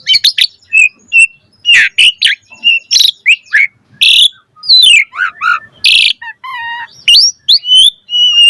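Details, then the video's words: Asian pied starling (jalak suren) singing a rich gacor medley of chirps, rasping bursts, slurred whistles and a held high whistle near the end. "Pancingan Jalak Suren Gacor Auto NYAUT Cepat MOMPA"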